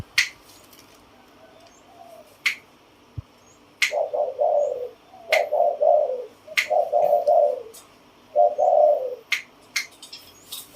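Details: Spotted dove cooing in a pattern of two 'kuk' notes, then 'ku-ang' and 'nun-ang', sometimes with a doubled 'ang' depending on mood. Low, hollow, burbling coo phrases repeat several times, punctuated by sharp clicks and snaps.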